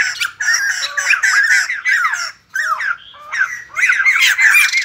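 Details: White-crested laughingthrush song given while dancing: dense, raucous laughing chatter of harsh, slurred notes in rolling phrases, separated by brief pauses.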